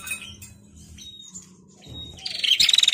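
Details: Female bar-winged prinia in lively "gacor narung" calling style: after two seconds of near quiet with a few faint thin whistles, a dense, fast, high-pitched buzzy rattle of rapid pulses bursts out and continues to the end.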